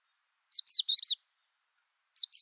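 Crested lark giving a quick run of four clear, slurred whistles, then starting the phrase again after a short pause; no other sounds.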